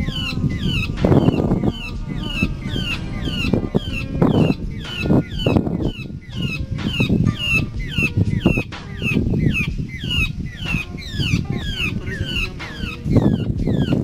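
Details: Large grey babbler giving rapid, repeated downward-sweeping squeaky notes in a continuous, chattering run, with bursts of low thumping and rustling noise throughout.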